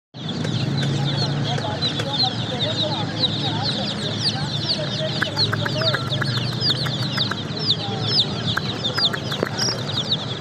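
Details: Baby chicks chirping as a crowd, with dense overlapping high peeps that rise and fall without pause, over low rumbling background noise and scattered clicks and taps.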